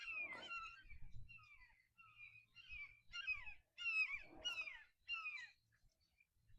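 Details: Young red-shouldered hawks calling near a farm in spring: a series of high, down-slurred squealing notes, some overlapping and stacked, in irregular bursts about once a second, with faint low rumbling underneath.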